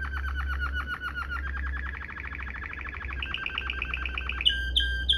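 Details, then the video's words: Waterslager-style canary song for tutoring canaries, 'ngerol' rolling style: a quick series of repeated notes in steady rolls, rising slightly in pitch, ending with four sharp, separate whistled chips. A low hum runs underneath. "NGEROL MEWAH ala WATERSLAGER, cocok buat Masteran burung kenari cengkok mewah"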